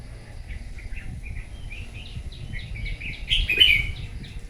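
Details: Wild-caught red-whiskered bulbul singing competitively in the morning: a run of soft, quick chirps repeated several times a second, capped near the end by one louder, brighter warbled phrase, over low background rumble.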